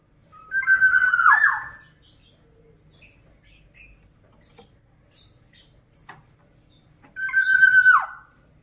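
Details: Two rich whistled phrases from a black-naped oriole in full song, each ending in a falling slur, about six seconds apart with soft clicks and chips between.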